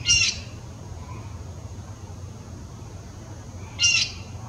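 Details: Common raven giving two short, harsh, high squawks almost four seconds apart, over a steady low rumble, with an unhappy blue jay in the background.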